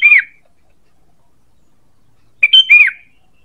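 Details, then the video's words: Sooty-headed bulbul call used to lure birds: two short bursts of bright, slurred chirps, the second a quick three-note phrase ending in a falling whistle, with silence between. "Suara PANGGILAN dan pikat ampuh burung KUTILANG"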